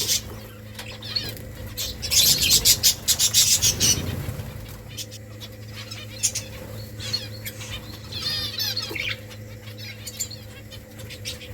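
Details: While eating rice, a flock of finches breaks into a dense, rapid burst of high twittering chirps that later thins to scattered tweets, with pecking clicks and a low background hum.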